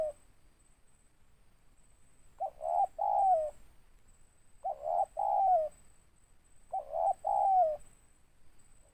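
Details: Spotted dove, local tekukur, calling with a big voice: three cooing phrases about two seconds apart, each a short low coo followed by two louder rounded notes, the last one sliding down, with quiet gaps between.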